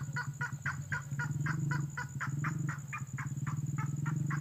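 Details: Red-headed lovebird lure call for attracting birds: brisk, pulsed chirping notes in a regular series over a strong, continuous low droning hum.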